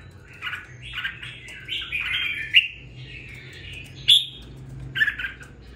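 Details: Captive red-whiskered bulbul, two weeks into its care, singing a run of slurred, chattering notes that blend together, broken by a few sharp bright accents, over a low humming background.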